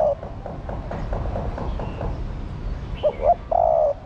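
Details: A hen spotted dove calls to stimulate the male. Soft background bird notes give way to one clear phrase of two short coos and a long, level, low coo near the end.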